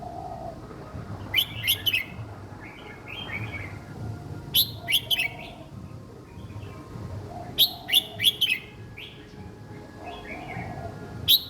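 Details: Young caged red-whiskered bulbul singing an easy, repeatable song style for other young birds: crisp phrases of three or four bright whistles recurring roughly every three seconds, with quieter chatter between.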